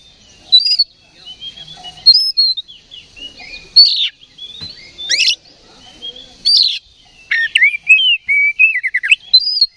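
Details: Oriental magpie-robin, provoked into an aggressive fighting response by a lure recording, singing varied high whistled phrases and rising and falling notes with sharp clicks, in bursts separated by short pauses.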